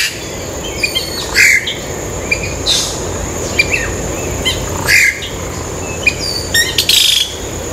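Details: Yellow-rumped cacique recorded on Ilha de Comandatuba, Bahia, Brazil, on 12 October 2013, giving varied calls: short high chirps, clipped whistles and loud raspy noisy bursts in uneven sequence, with a continuous high-pitched drone behind.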